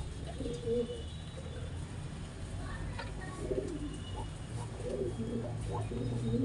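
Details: Pigeon cooing during mating: soft, low, throaty coos repeated in short bursts throughout, with a steady low background rumble.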